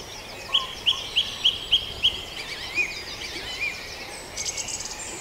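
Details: Birdsong in a dawn chorus at Farndale: a run of six short, bright high notes repeated about three times a second, then a few scattered chirps and a brief thin high trill over steady background hiss.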